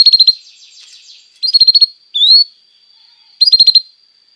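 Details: Training song of a canary for young canaries: tight bursts of five or six quick stuttered notes, a single rising whistled slur between them, all over a thin continuous high tone.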